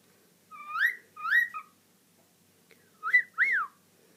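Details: A female cockatiel, who chats to herself, gives two clear wolf whistles, each a rising note followed by a rising-then-falling swoop.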